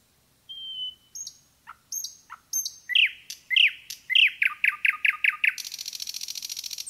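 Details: Forest nightingale song opening with a long level whistle and soft spaced notes, building into a run of loud repeated chirps and ending in a fast dry buzzing rattle.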